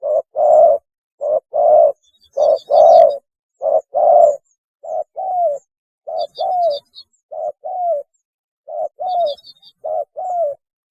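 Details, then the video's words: Lure recording of a spotted dove's mating call: repeated low coo pairs, a brief note then a longer one that often drops in pitch, with faint high chirps from another small bird three times in the background. "PANGGILAN KAWIN...!!! SUARA BURUNG TEKUKUR TERBAIK"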